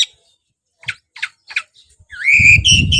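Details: Oriental magpie-robin (kacer) in song: a few short sharp chirps, then a loud rich whistled phrase with a rising, swooping note, over low rumbling background noise.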